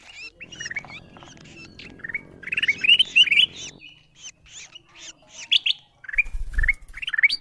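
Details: Ruby-throated bulbul calls played to lure wild birds: chattering rising whistles in tight groups, a noisy hum ending partway, then scattered chirps and a low thud near the end.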